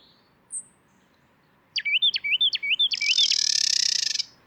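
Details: Carolina wren pair duet: the male gives four quick, rolling whistled song phrases while the female joins with her harsh, buzzy chatter call, an innate call rather than a song, overlapping the end, as in counter-singing exchanges.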